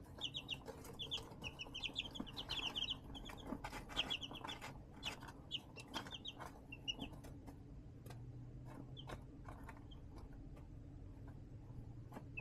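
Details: Brooder-raised baby chickens in a plastic tote lit by a heat lamp, 20 March 2024; dense clusters of quick high peeps fill the first half, then thin to sparse single chirps among many sharp scratching clicks.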